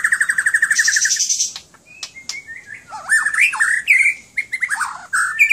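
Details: Pet White-rumped shama in Aceh, Indonesia: a rapid pulsed trill opens, then after a pause come sharp clicks and a run of rich, swooping, rising and falling whistled notes.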